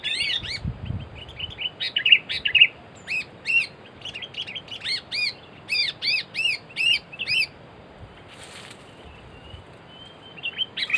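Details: Sooty-headed bulbul from a trapping outing that caught two birds: clear, ringing, arched whistled notes come in short bursts of two to four. They pause near the middle and resume briefly at the end. A low thump is heard early on.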